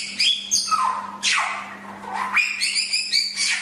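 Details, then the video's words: Chinese hwamei song in a short burst: bright high whistles sliding down into long, falling, slurred notes, then quick repeated whistled figures, with a quiet steady hum in the background. "Masteran Suara Samyong"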